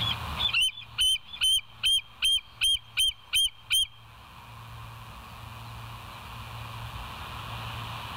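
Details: West End bald eagles on a live nature camera, 22 July 2023, 05:06 in the morning; one slurred squeal followed by eight quick, regular, high-pitched piping notes, then steady hum and faint rustle.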